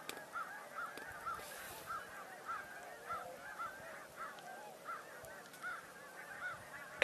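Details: Tundra swans heard from a distant flock through a car windshield on a January 27, 2024 tour, alongside gulls, Canada geese and crows: soft, high, honking yelps repeated roughly every half second, with faint voices and background hiss.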